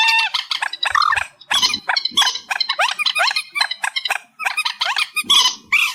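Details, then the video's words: Reed warbler singing in an amplified recording, described as a night bird sound: dense, scratchy chatter of rapid clicks and rising grating notes, with a brief gap before the song resumes. "Tiếng Chim Trích Ré 2024 Bản Tăng Âm"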